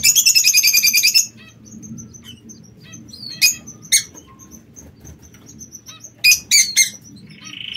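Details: From an aviary of king quails, an opening second-long run of fast, evenly pulsed high chirps, followed by sparse thin ticks and two short sharp chirp bursts near the end.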